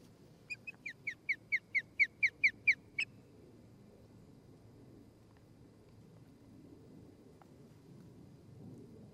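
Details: Osprey at a nest in Charlo, Montana, where a pair is building a new nest, recorded by a nest camera on the morning of 23 September 2018: about ten sharp, whistled chirps in quick succession, growing louder, then quiet with a low background rumble.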